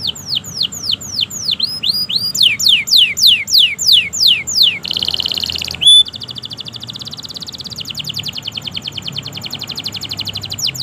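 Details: Long-singing canary, a master recording meant to make stuck and young canaries answer: descending whistled sweeps, then a brief harsh buzzy note, a clear tone, and a rapid fine trill that runs to the end.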